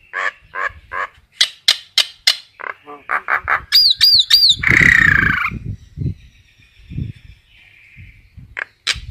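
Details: Common myna calling to its flock: a steady series of harsh scraping squawks about three per second, a few bent whistles, then a long rasping churr, with outdoor background noise.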